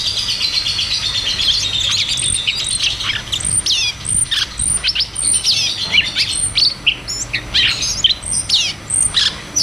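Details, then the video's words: Rolling ngeroll tembak song of cucak cungkok, meant to spur caged birds that have gone quiet. A warbled whistle opens, then steady repeated sharp chirps and downward flicks, some very high notes. "Cucak cungkok Ngeroll tembak"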